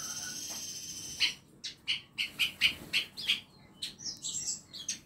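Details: Caged birds in a small home aviary give a run of bright, evenly spaced high chip notes over a steady background hiss, followed by a few thin whistled phrases.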